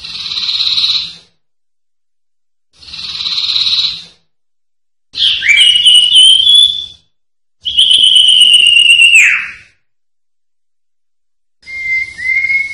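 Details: Cipoh, the common iora, singing a sertu-style training recording: two short buzzy notes, then two long clear whistles that slide gently downward and drop at the end, followed by a thin level whistle.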